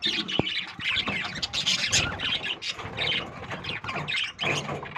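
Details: Lovebird breeding colony calling nonstop: dense, overlapping shrill chirps and squawks with no pauses.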